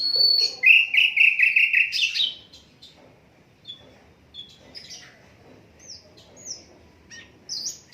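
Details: Asian brown flycatcher song, unedited, kept as a tutor recording for training songbirds: a loud run of rapid, evenly repeated high chirps that trails into thin, faint whistled notes over a quiet background.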